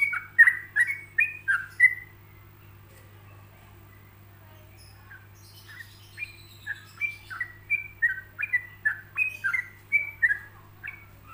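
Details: Relaxed ropelan song of a yellow-vented bulbul, paced with pauses so other bulbuls can imitate it. A burst of chirpy, sliding whistles, a silent gap of several seconds, then a longer even series of clear falling notes.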